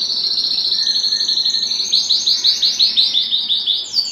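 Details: Excited male canary singing to make a female take the mating posture: high rapid trill of even repeated notes, shifting into a slower series of rhythmic chirped syllables.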